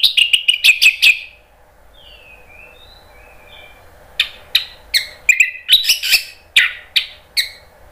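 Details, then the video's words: Energetic anis merah (orange-headed thrush) song, 'ngeplong gacor': quick repeated chirps, a faint quiet stretch with soft distant whistles, then a rapid run of sharp notes and brief trills. "ANIS MERAH NGEPLONG GACOR"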